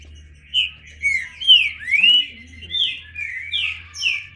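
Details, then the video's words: Green-winged saltator singing loud sweeping whistles, some rising and some falling, about two per second, over a low steady hum. "Trinca Ferro (cantando)"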